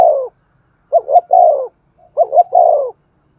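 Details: Spotted dove performing the cooing style called Thúc Gù: three phrases of low, hoarse coos, each two quick rising notes followed by a longer falling coo, separated by short silences.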